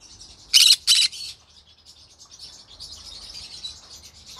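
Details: Green-cheeked conure heard in the evening giving two loud, harsh, buzzy squawks in quick succession, followed by soft, continuous high chattering for several seconds.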